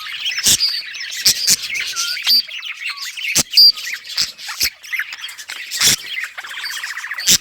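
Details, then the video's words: Colony budgerigars playing and chirping on August 25, 2023: varied warbling chatter of squeaks, whistled slides and buzzy trills, interrupted by sharp tapping clicks. "budgies beautiful colors playing and chirping sounds for lonely birds"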